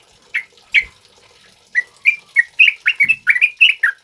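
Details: Male sooty-headed bulbul, known locally as trucukan, singing a lively, full song used to lure and tutor other birds: a run of short, bubbly whistled notes, sparse at first, then coming quickly back to back.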